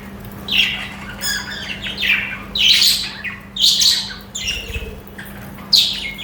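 Budgerigars chatter in short, harsh, squawky bursts about once every second or so, high and scratchy, with a faint steady electrical hum underneath.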